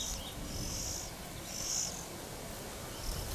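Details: Oriental magpie-robin feeding young, recorded by a camera placed high; three or four drawn-out, high hissy notes over a loud rumbling background.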